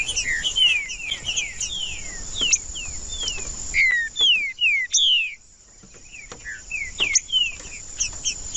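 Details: Green-winged saltator song meant to warm up a cold bird: a long series of loud, fluted notes, each gliding downward, delivered in rhythmic phrases with one pause, over a steady faint high hum.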